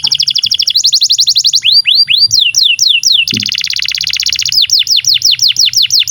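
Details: Canary song used to teach young canaries and birds that stopped singing. Rapid trills alternate with slower, curved whistled notes, and the song changes pace several times in quick succession.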